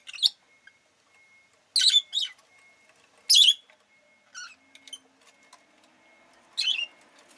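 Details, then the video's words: Rosy-faced lovebird producing loud, harsh, high chirps in irregular bursts, a few doubled, softer squeaks between them, and a faint continuous high tone in the background. "Lovebird Chirping Sounds"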